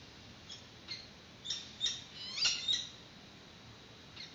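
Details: Peregrine falcon at a webcam-watched nest, Santa Cruz, March 2019, around the chick's first feeding as the female arrives with a yellow bird as prey. Scattered short, harsh cries build to a cluster of louder strained notes, then fade over a steady background hiss.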